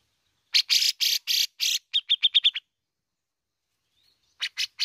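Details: Bearded bulbul, known as cucak jenggot, singing in full voice: five loud harsh notes, a quick run of short bright ticking notes, a pause, then three more harsh notes.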